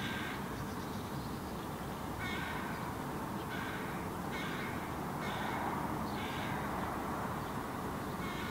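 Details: Hooded crow fledgling on the ground in Helsinki, Finland, July 2017, vocalizing and gesturing at its parent; harsh, hoarse caws repeated roughly every second, with steady background noise.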